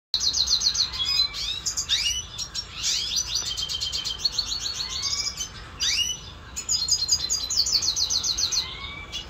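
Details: A captive red siskin, recorded in 2022, sings a fast, high, twittering song of rapid trills and buzzy chirps, run together in bursts with brief pauses.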